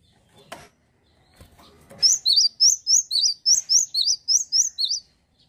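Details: Singing male cinereous tit gives a fast series of sharp, high, see-sawing double notes, roughly eleven in a row, preceded by faint tapping sounds.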